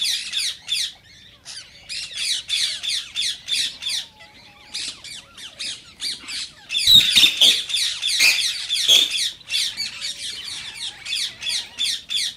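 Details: Rose-ringed parakeet screeching, described as an encouragement to song and mating for other parakeets. Harsh bursts repeat in a steady pulsing rhythm, quieter early on and swelling into a louder run midway.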